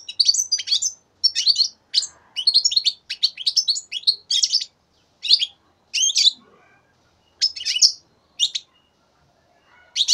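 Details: Three-month-old young European goldfinch from 2015 singing bursts of bright, twittering, tinkling notes in phrases of about half a second to a second, separated by short pauses; no other sounds stand out.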